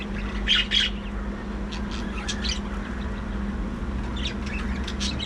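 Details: Budgerigars in a breeding colony in an aviary: a few loud, scratchy chirps early, then softer chatter and short squawks near the end over a steady low hum.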